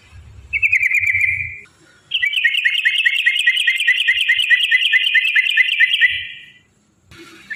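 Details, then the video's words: Yellow-vented bulbul giving a long 'ropel' trill, played to provoke other bulbuls to sing: a brief buzzy note, a pause, then a continuous rapid rattling trill lasting about four seconds before fading out. "trucukan gacor TARUNG ROPEL PANJANG pancingan trucukan agar bunyi"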